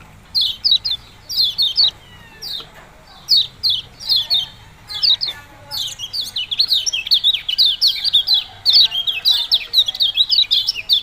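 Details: Kecial kuning, the yellow-bellied prinia, giving its 'ciak-ciak' song: bright, thin descending chirps in spaced groups at first, then a faster, almost continuous run of chirps in the second half.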